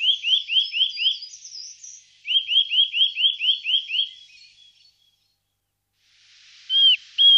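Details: Eurasian nuthatch in the Wittlicher Tal in 2018 gives quick runs of clear, rising, whistled notes. One run of five is followed by a run of about eight, then a pause and two louder single whistles near the end.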